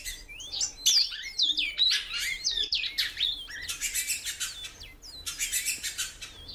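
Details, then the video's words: Female great-billed seed-finch calling a lot, producing a busy series of curved, slurred whistled notes, some rising and some falling, crowded together at first, then giving way to rattling, fluttering bursts. "FÊMEA DE BICUDO PIANDO MUITO"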